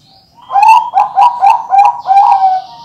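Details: Caged Bangkok-type zebra dove with a large voice, raised by an Indonesian breeder and compared with six others: six loud, even, rhythmic coo phrases in quick succession, clean and rich-toned.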